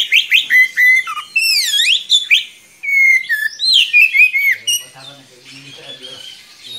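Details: Oriental magpie-robin singing a long, rolling tutor song for young birds: sharp whistles, deep sweeping slurs and rapid notes, fading into softer mixed sounds toward the end.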